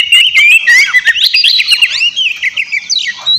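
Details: Vigorous (gacor) Oriental magpie-robin song meant to provoke a rival bird into replying: loud rising and falling whistles followed by dense, scratchy rapid phrases and quick chattering notes that continue without pause.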